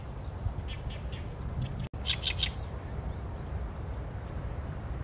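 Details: Oriental reed warbler (개개비) heard through a Sony A7M3 camera: a few faint croaks, a brief dropout, then a short loud run of rasping buzzy notes before quieter background hum.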